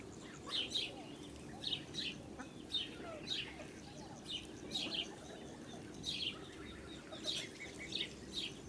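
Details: A brood of ducklings beside a blue Muscovy duck hen on a farm, 8 July 2017, peeping persistently: bright, high, slightly descending chirps repeated around twice a second, with soft background rumble.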